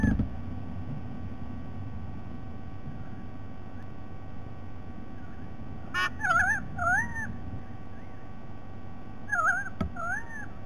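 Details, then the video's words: White-bellied sea eagle calling on 07 12 2020: after six quiet seconds of low rumble, a click and a pair of honking notes, trembling then arched, with a second pair about three seconds later. "White bellied Sea Eagle"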